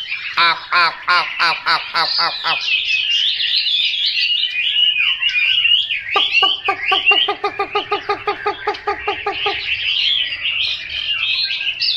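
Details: Chinese hwamei alternating bursts of rapid, harsh, nasal repeated notes with loud, flowing, whistled warbling, the choppy notes returning in a long fast series midway.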